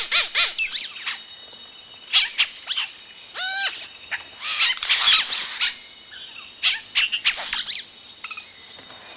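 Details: Yellow-rumped cacique nestlings calling intensely at close range as adults arrive at the nest, with rapid scratchy bursts, one ladder-like dropping harmonic call and frequent loud high chatter.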